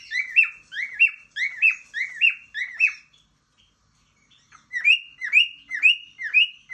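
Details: Pet cockatiel, urged by its owner to sing, gives a quick series of bright, rising-and-falling whistled chirps, about two each second.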